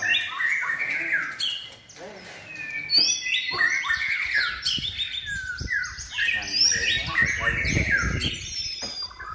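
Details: Contest-trained caged white-rumped shama in its third season singing a dense, fast medley of slurred whistles, chirps and high downward sweeps, with a low rumbling noise in the background.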